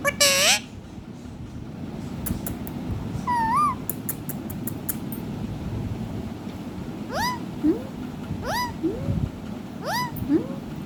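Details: Rose-ringed parakeet kept as a pet, singing while dancing: a loud opening squawk, then a wavering whistle and a string of short upward-sweeping whistles repeated about once a second, with clicks and low background rumble.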